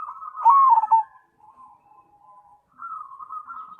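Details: Cemani zebra dove giving a loud, wavering coo phrase followed by a softer, low, drawn-out trill and then a steady, level, rolling coo.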